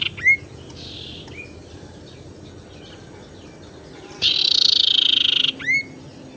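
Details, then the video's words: Tailorbird lure call for attracting and stimulating birds that are reluctant to sing. Scattered sharp upslurred notes, with a loud buzzy trill lasting over a second, then another upslur. "suara pancingan sirtu teras"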